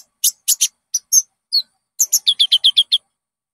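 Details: Common Iora, known locally as konin, giving lure song for caged birds: a few loud, separate chirps, then a quick, evenly spaced series of about eight bright, ringing notes.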